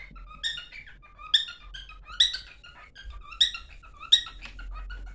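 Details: Cockatiel singing indoors as it hurries to its mate: bright squeaky chirps with stacked harmonics spaced under a second apart, joined by short lower whistles.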